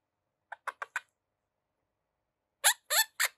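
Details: An 11-week-old female pet Quaker parrot (monk parakeet) chatters in two quick bursts of four harsh, scratchy notes each, about a second apart, with nothing else heard.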